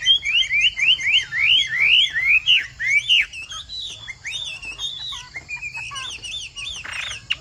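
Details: Chinese hwamei, Bộ Tam Hoàng type, in pattering, rain-like song. Loud, rapid series of ringing whistled notes, each sharply rising then falling, repeated about four times a second, then shorter varied phrases and a brief harsh burst near the end.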